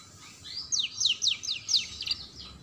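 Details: Canary song for teaching young canaries to sing: a rapid run of sharp descending whistled notes, about six in a burst, over a quiet low rumble.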